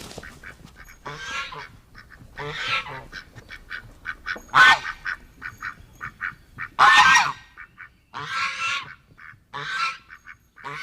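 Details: Goose calling with several loud, harsh honks spaced irregularly over about ten seconds, with quieter clicking and brief gabbling notes in between.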